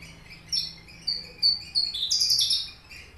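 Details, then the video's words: Caged Horsfield's bush lark, subspecies aliena from Papua, its song holding learned finch phrases: separate high, clipped chirps, then a denser, rising, ringing trill near the end. "branjangan aliena gacor / mirafra javanica aliena / branjagan papua"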